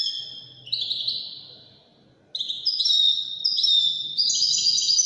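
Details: European goldfinch performing Wedani (الويداني) style song: high, tinkling twitters and a drawn-out buzzy falling note, a short silence, then a fast run of bright chirps and liquid trills continuing to the end.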